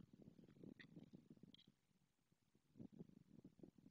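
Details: Nest greeting between a male and female white stork in Madrigal de las Altas Torres, Spain, beside two freshly laid eggs; quick dry rattling bursts of bill-clattering, pausing midway, with brief high chirps from other birds.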